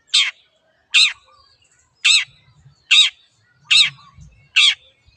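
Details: Long-tailed shrike (pendet) giving six harsh, rasping notes at a fairly even pace, close to one each second, in an otherwise quiet setting.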